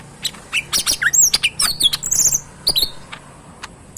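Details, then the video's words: Caged pet green leafbird, called cucak ijo mini, pours out a lively phrase of looping, twisting whistles and short chirps. The song fades into scattered clicks near the end. "burung cucak mini gacor full yang terbaik"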